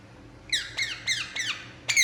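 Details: Relaxing Indian ringneck parakeet giving a short run of five harsh, downward-sweeping squawks, each roughly a quarter second apart, bright and harmonic-rich, in a quiet room with a low background hum.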